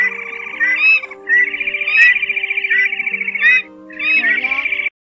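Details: Red-legged crake pair, male and female, calling the flock, used for night net trapping during the 2023 migration: almost continuous harsh, pulsing rattles in long bursts broken by brief pauses, over a steady humming background tone.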